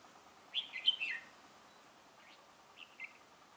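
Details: Decoy red-whiskered bulbul at a trap on 17 November 2017, luring rival birds. It gives one rich, chattering warbled phrase, then two short, softer notes after a pause.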